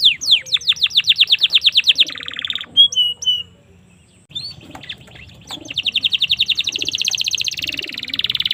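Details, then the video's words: Domestic canary singing: fast rhythmic trills of high, downward-sweeping notes, then a brief pause with a few clear whistled notes, followed by a long, buzzy, rapid trill that runs to the end. "suara burung kenari"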